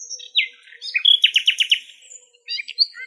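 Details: Wild nightingale singing in its natural habitat in Greece: a high whistled slur, then a burst of five or six rapid rasping notes, followed by scattered thin high chirps.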